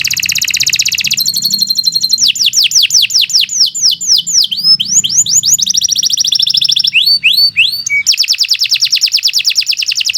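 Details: Canary in continuous, lively training song: a fast buzzy roll, a row of slower descending whistled sweeps, more rapid trills, and a closing long, steady, high rattling trill.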